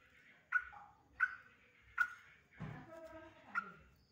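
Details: Sooty-headed bulbul in an agitated, excited chattering state, used as a lure to provoke other bulbuls into calling: sharp, bright, short notes repeated about every 0.7 seconds, with a lower, harmonic, buzzy sound in the middle.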